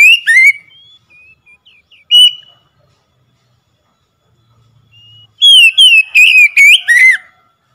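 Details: Oriental magpie-robin song meant to coax a silent bird into singing: brief loud whistles open, followed by scattered soft notes and a faint low hum, then a vigorous two-second string of sharp, slurred, chattering whistles.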